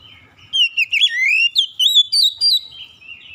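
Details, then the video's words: A magpie-robin sings a continuous, energetic string of loud whistled phrases, swooping down and climbing back up, with rapid chips mixed in and an even pace over quiet surroundings. "KICAUAN INDAH BURUNG KACER"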